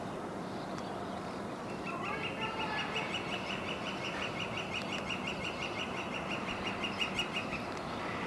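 A Northern flicker gives a long, even run of quick, bright notes lasting about six seconds, over a steady roar of wind or distant traffic.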